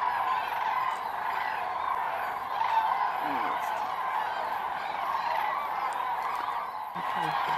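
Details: Common cranes gathering at an autumn roost at the Milicz Ponds, Poland, in September 2023: a dense, continuous chorus of many overlapping trumpeting and rattling calls, with no single bird standing out throughout.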